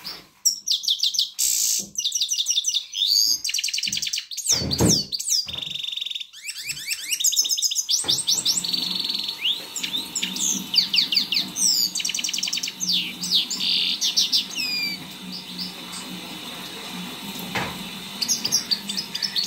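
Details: Grey-crowned goldfinch singing to motivate young birds: a long, dense stream of fast, sweeping high whistles, twitters and buzzy trills, nearly continuous for twenty seconds, over a steady low background hum.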